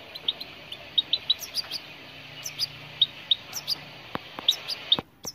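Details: European goldfinch song: a steady run of short, sharp, high chirps and tinkling notes repeated several times a second, with a couple of clicks near the end.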